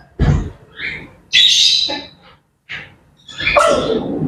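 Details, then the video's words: Morning chatter of grey parrots, with short squawks and a few sharp whistled notes, broken by pauses, ending in a longer rasping, buzzy call. "Grey Parrots Chattering and Bird Sounds to Wake Up to"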